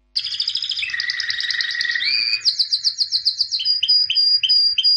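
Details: Singing white albino canary, 2017 champion: a rapid buzzy trill dropping to a lower rolling phrase, then quick high chips and a series of clear upslurred whistled notes repeated several times.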